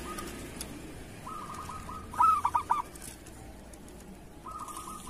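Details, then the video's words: Local zebra dove recorded as training song for other doves: soft rolling trills, then a brief clear phrase of four rapid cooing notes, followed by another low trill. "Suara perkutut lokal masteran perkutut kerot"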